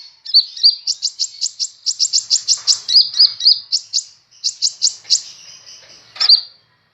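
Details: Sunbird, known locally as kolibri ninja, recently acquired and in lively song: a rapid run of sharp, high, clipped notes, about three per second, broken by brief gaps, with a final loud squeak.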